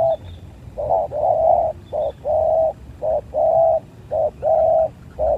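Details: Spotted doves fighting, steady low cooing in paired phrases, a short note then a long even coo, repeated about once per second, faint chirps and background rumble.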